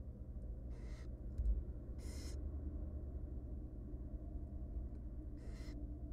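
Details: Three small wild barn owl chicks inside a research-monitored nest box, fed by their mother, give three rough, wheezy hisses about two seconds apart against a constant low hum and a faint thump.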